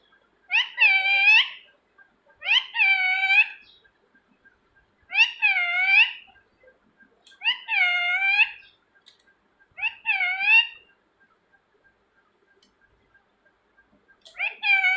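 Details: Rose-ringed parakeet giving loud, harsh, harmonic screeches, each about a second long with a rising and falling contour. Six calls come roughly every two seconds, with quiet gaps between them.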